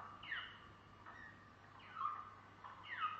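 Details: Waterslager (Malinois) canary, faint song of falling slurred notes, about one drooping phrase each second, with a soft steady hum underneath.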